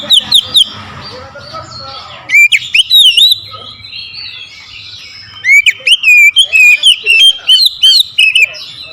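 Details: Oriental magpie-robin goaded into an aggressive rival challenge, belting out loud whistled phrases: brief opening notes, then clusters of sharp slurred and rising whistles after a quieter stretch, repeated in quick rhythmic runs.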